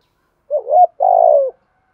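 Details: Spotted dove coo to spur other doves: a brief wavering note followed by one long, steady, burry coo.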